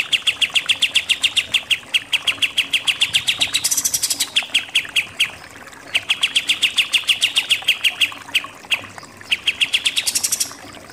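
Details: Pied triller singing in the rapid 'nembak' shooting style, used as a tutor recording for contest birds: fast bursts of sharp repeated notes, several per second, in long strings broken by short pauses and higher buzzy flourishes.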